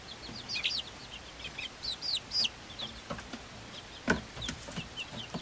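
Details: Five-week-old Swedish Flower Hen chicks, hatched 26 February 2022, with one silkie chick of the same age: loud, high, falling peeps in small bursts, then softer scattered peeps and a single sharp knock.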